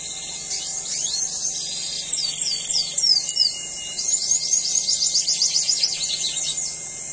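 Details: Red siskin in breeding condition delivering a rapid twittering song of high slurred notes, building into a fast run of repeated chips about four per second in the second half, over a constant high-pitched hiss.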